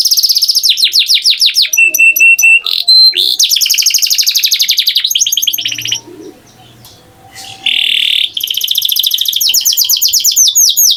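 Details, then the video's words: Long canary phrase of rolling trills, sharp whistled notes and buzzy stretches, a brief near-silent pause, then a buzzy note and renewed trilling. "Canary Singing Beautifully"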